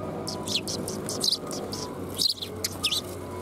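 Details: Sparrows coming to be fed at a Tenmangu shrine, recorded 12 February 2021; short high chirps in scattered clusters, a few at a time, over a steady low background rumble.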